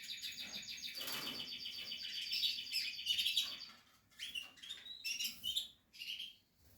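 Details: Breeding Portuguese harlequin canary busy with nest building sings a dense buzzy trill of rapidly repeated notes for about three seconds, then breaks into short separate chirps and whistles with pauses, amid light rustling.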